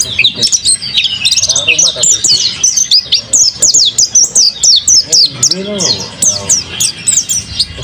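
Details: Lively singing from a kept mountain white-eye: continuous high-pitched twittering and quick, sharp, slurred chirps packed closely together, with a few lower, muffled voice-like sounds in the background.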